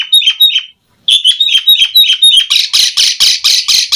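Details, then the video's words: Asian pied starling, singing energetically with varied phrases, gives quick chattering notes, pauses briefly, then fast squeaky notes that give way to loud harsh rasps repeated rapidly. "JALAK SUREN GACOR FULL ISIAN"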